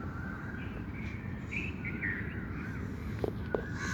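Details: Outdoor birds give a few sliding whistled notes and short rough calls, fairly faint, with two sharp clicks near the end and constant low-frequency hum underneath.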